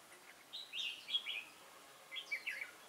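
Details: Wild-caught red-whiskered bulbul with a lân-type crest, 22 October 2018, sings two brisk bursts of rolling, slurred whistles about a second apart.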